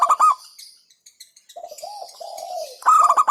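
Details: Local zebra dove's brisk pulsed coo phrases open and close the passage, with softer, lower, slurred dove coos and high chirps filling the middle.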